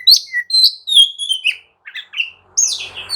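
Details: Emotional oriental magpie-robin song, meant to provoke another bird to reply and fight: crisp whistled notes falling in pitch, a brief pause, then a louder harsh slurred phrase.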